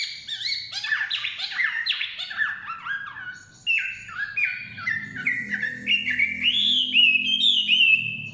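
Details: Chinese hwamei singing in the forest: loud, varied whistled phrases, first sliding and jumbled, then a run of rising-and-falling slurred notes repeated about twice a second, with a faint low hum beneath.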